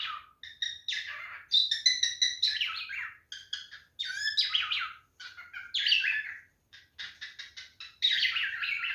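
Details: Male cockatiel calling during mating behaviour, with a busy run of chirps, whistles and harsh warbled notes in quick bursts, broken by short pauses and ending in a rising burst.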